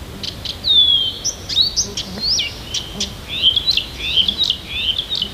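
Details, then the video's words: Varied, high-pitched song of a Siberian bird on a morning near Tomsk: an opening falling whistle, then rapid zigzagging twittered phrases and chirps, all different in pattern. "Послушайте как поёт сибирская птичка!"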